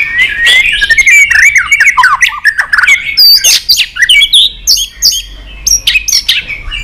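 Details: White-rumped shama singing excitedly with many varied phrases while flicking its tail, a loud continuous stream of whistles, sharp rising and falling notes and harsh clicks, with a low steady hum beneath.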